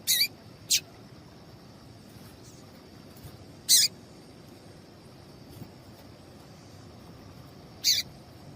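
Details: Female papa-capim seedeater giving sharp, high, rasping chirps, a call used to make males sing: two quick notes, a pause of three seconds, another, then a final one four seconds later, over a steady hiss.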